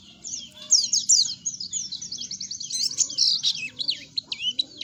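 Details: Oriental white-eye singing, played as a lure to prompt captive white-eyes into song: rapid, high-pitched twittering with quick slurred chirps run together in a busy, continuous warble, a faint low hum beneath.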